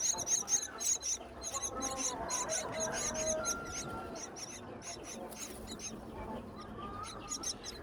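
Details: Hungry myna chicks in a natural nest on a tall palm tree, being fed by their mother in the wild nesting season: a steady stream of shrill, rasping cheeps repeated almost twice a second, with faint lower tonal sounds behind.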